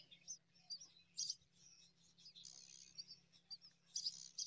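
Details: Myna feeding date fruit to five chicks; faint, high, hissy chirps from the young repeat irregularly about twice a second over a low steady hum.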